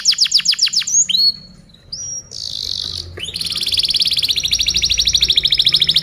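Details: Masteran tutoring song of a canary: a quick series of falling notes, soft slurred whistles, a brief hissing buzz, then a long steady rapid trill of high pulses.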